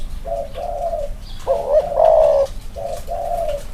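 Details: One of two caged spotted dove males compared for cooing: soft coos, then a stronger wavering pair of notes and two trailing coos, over a low background hum.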